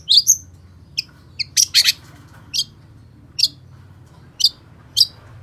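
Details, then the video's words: Long-tailed shrike, locally called cendet or pentet, singing in the lively gacor style: separate sharp high chirps and short buzzy notes, often in pairs, spaced about half a second to a second apart over a quiet background. "Suara Cendet Pentet Gacor DOR"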